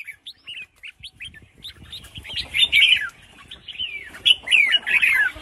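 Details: Female red-whiskered bulbul kept caged, calling to excite males into song; short spaced chirps build into busy warbled bursts, repeated twice, with light background hum.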